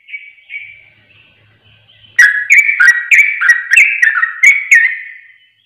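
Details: Sooty-headed bulbul, played as a lure to provoke other birds: soft warbling notes, then a loud run of about ten chirpy, bubbly phrases roughly every quarter second, with sharp clicks between them.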